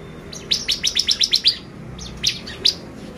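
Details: Bar-winged prinia song played as a lure to excite birds: a quick run of about eight bright, high chips in steady rhythm, then a pause and two more separate chirps.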